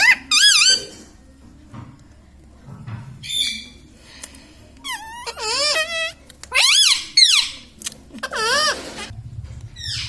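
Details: Pet talking Indian ringneck parakeet laughing: loud, wavering harmonic squeals and rising-falling, speech-like notes in bursts, with quiet pauses between them, indoors.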